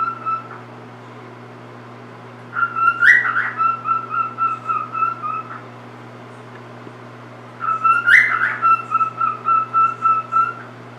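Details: A pet cockatiel (male) sings to his owner, two bouts of clear, steady whistled phrases made of quick repeated notes.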